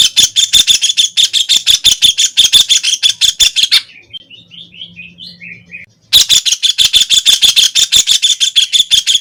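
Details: Harsh, rapid chatter from a White-throated kingfisher (Halcyon smyrnensis), about three notes per second, breaking off midway for a couple of seconds of soft, descending whistled notes before the loud rattling series starts again.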